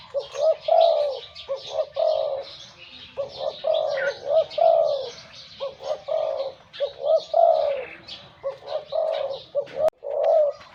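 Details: Caged wild-caught spotted dove used as a decoy, praised for its big voice: low, hollow coos repeated steadily in short and long notes throughout, while small birds chirp and twitter faintly overhead.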